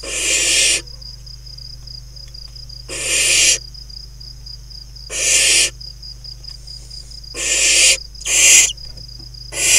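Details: Wild barn owl chicks in a nest box set in farmland at Kibbutz Snir, Hula Valley, Israel, late June 2020, playing together; five rasping, snore-like hisses at irregular intervals, a thin continuous insect tone between them.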